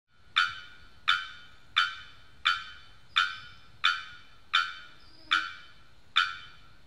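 Bearded bellbird giving nine loud, explosive metallic 'bock' notes, evenly spaced about every 0.7 seconds, over a quiet low rumble.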